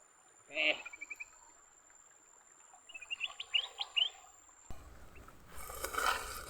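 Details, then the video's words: Fighting leafbirds: a loud chirp trailing into a fast fading stutter, then after a pause a cluster of bright upward-sweeping notes. A sudden rush of broadband noise and rustling follows near the end. "Tarungan Burung hijau"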